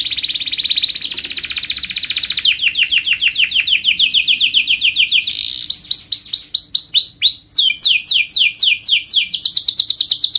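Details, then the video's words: Canary singing loudly and clearly, with fast, bright trills made of rapid repeated notes that shift from one phrase to the next, some rising, some sweeping high and buzzy, with no other sounds. "kenari gacor"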